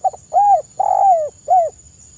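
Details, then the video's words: Soft lure call from a spotted dove: a stuttering double note, a smooth arched coo, a longer coo sagging at the end, and a last rounded note, delivered in a tight, gentle three-part phrase over faint hiss. "TEKUKUR KUK I SUARA LEMBUT COCOK UNTUK PANCINGAN"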